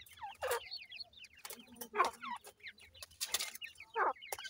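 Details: Francolin chicks feeding: quick high chirps from several birds, broken by repeated loud clattering bursts of pecking or handling noise.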